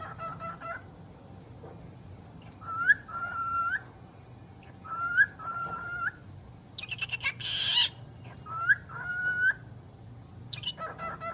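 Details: A talking bird gives short whistled phrases with sharp upward flicks, interspersed with brief raspy voice-like syllables and a noisy burst in the middle, all separated by short pauses.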